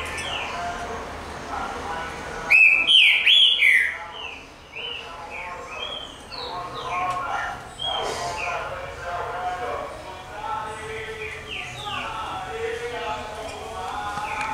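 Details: Green-winged saltator (trinca-ferro) bursts into loud, rich whistled phrases around the third second, then continues with softer slurred whistles mixed with other faint chirps for the rest of the recording.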